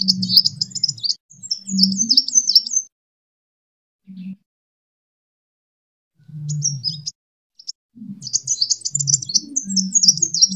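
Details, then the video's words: Fighting song of a sunbird, used to lure and train other birds. Bursts of high, quick, twittering and squeaky notes come with pauses of a few seconds, accompanied by intermittent low humming. "Suara: -*BuRunG*- [Pancingan] ( KOLIBRI TARUNG ) BUAT MASTER"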